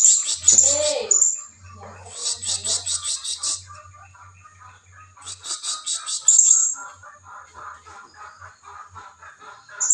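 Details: Blue-crowned hanging parrot lure call used to draw rival birds: bursts of very high, buzzy, rapidly pulsed chirps in groups of about a second, with softer lower twittering and chatter between the bursts.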